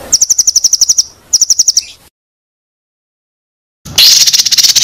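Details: White-rumped shama (murai batu) on a training recording for contest birds. Two runs of quick, evenly spaced high chips fall silent suddenly, and a dense, harsh burst of high notes follows.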